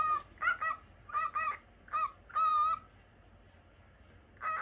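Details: Pet cockatiel of the normal lutino colour type kept in a cage, giving short harsh squawking calls in five separate bursts with small gaps, the longest near the end, over a faint low background hum.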